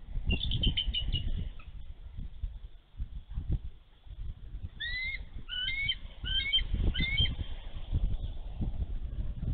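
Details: Nesting female bald eagle in Minnesota, snowy day, 11 March 2023, defending her egg against a young eagle too close to the nest. A rapid high twitter, then paired squeaky piping notes, over gusty low wind rumble.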